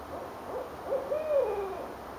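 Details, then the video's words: Owls answering one another at night in Richmond, Virginia, January 8, 2012, heard from a porch above the James River. Short muffled hoots lead into one long, strong hoot that swells and drops away, with constant low hiss behind. "Owls Calling"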